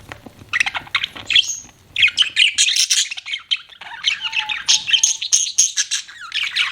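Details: Several pet budgies chirping in a quick, scratchy chatter of high twittering notes. A brief pause comes near the second mark, then the chatter resumes, with a thin steady whistle-like tone heard briefly midway.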